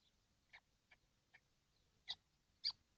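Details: Seven kestrels crowded in a nest box in the heat, recorded 12 June 2025, giving brief rasping notes, the last two louder and harsher, with quiet gaps between them.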